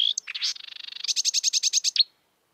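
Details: Marsh warbler singing in the wild: a high whistled note and scratchy chatter lead into a buzzy stretch, then a fast even series of about ten sharp repeated notes ending abruptly.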